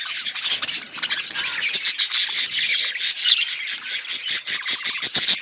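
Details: Several budgies chirp at once, a busy stream of high, scratchy warbling and rapid clicking chatter, with sharp short notes repeating through the whole stretch.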